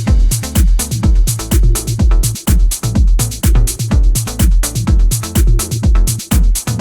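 Electronic dance music with a steady, heavy thumping bass beat and bright percussion, with no animal voices audible.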